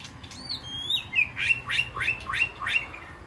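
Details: White-rumped shama in a peaceful aviary, calling to its flock with a long whistled note followed by a string of rapid rising upslurs, about three each second.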